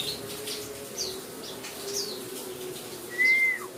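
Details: White-eye (pleci, buxtomi) singing amid rain-therapy sounds; brief high chirps roughly once a second, then a longer clear whistled note near the end, with light rain noise underneath.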